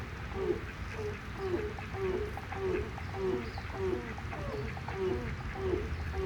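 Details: Grey crowned crane giving a steady run of low, nasal honks, roughly two every second, over a dull rumbling background; the owner had never heard one make any noise before.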